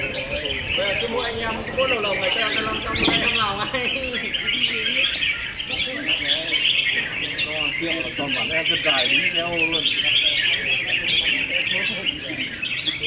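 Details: Round two of a red-whiskered bulbul singing battle, several birds pouring out dense, rapid chirps and short rising-falling whistled phrases in a continuous chorus, with a murmur of human voices underneath throughout.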